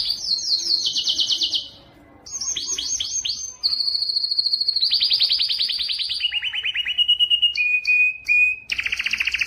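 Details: Strong courtship song of a Belgian canary aimed at females for breeding, made of successive tours: high rapid trills, a steady buzzy roll, descending rattles, clipped chips and a final high trill, with brief pauses between.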